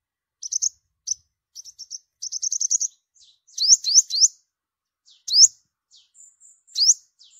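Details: Olive-backed sunbird with a yellow belly, used as a lure in migration season: rapid runs of tiny twittering chips build into a dense chatter, then loud rising slurs alternate with faint thin notes.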